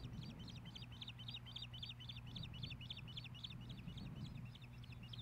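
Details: Osprey at a nest in Hellgate Canyon, Missoula, Montana, spring 2016, as the male delivers a fish to the female. Steady series of quick, bright chirps throughout, slightly softer, with a persistent low hum beneath.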